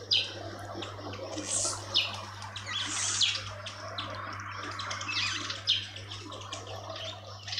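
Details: Karoo thrush (Turdus smithi) at a bird bath in a suburban garden in Pretoria, South Africa: sharp, high chirps and squeaky notes at an irregular pace, with a steady low electrical hum underneath.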